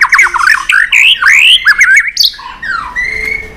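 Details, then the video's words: White-rumped shama, tail-flicking and singing in competition style with many long forest-type phrases; loud, rapidly varied whistled notes sliding up and down, slurred warbles and sharp upward flourishes, ending in a clear descending whistle. "chòe lửa tạch đập đuôi kích lửa hót đấu căng lửa.luyện chòe lửa hót nhiều giọng rừng dài"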